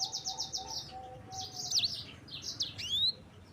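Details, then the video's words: Yellow-fronted canary (sanger) singing a 'roll' style song: a fast train of buzzy high notes, then sweeping whistled slurs and a rising upslur; a steady low hum runs underneath. "Kicauan Sanger Gacor Roll Juara"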